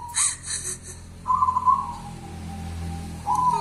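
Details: Local wild zebra dove called 'kuntilanak' gives a short trilled coo that fades into a thin, level hum, then starts a new phrase; faint knocking at the start.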